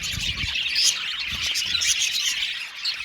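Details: A budgerigar colony in an aviary, a bright, high-pitched twittering mass with quick chirps and thin whistled notes, plus brief low thumps near the start.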